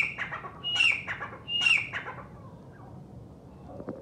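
Grey francolin giving loud, harsh, high squawking notes in two bursts about a second apart, each with a ringing upper edge, then fading into quiet background hiss.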